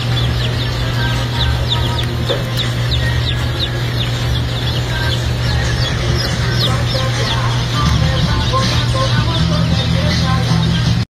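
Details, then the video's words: Newly hatching Black Sex Link chicks at a hatchery in the US: a dense chorus of short, high, falling peeps repeated continuously by many chicks, with a constant low machine drone underneath. "Black Sex Link Baby Chicks Hatching"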